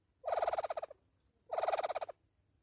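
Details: Two crisp hornbill bursts, each a quick series of about ten reedy, nasal pulses lasting over half a second, spaced about 1.3 seconds apart against a near-silent background.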